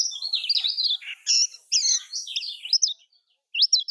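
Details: Lemon-bellied white-eye (kecial kuning) song from Lombok, played to prompt silent or lazy caged birds to sing: rapid, twittering high phrases of slurred chirps and trills, a short pause, then a brief burst of sharp notes.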